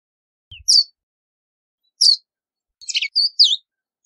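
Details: Verdin call: a soft low tap, then high sharp chips about a second apart, ending with a jumbled run of quick down-slurred chirps.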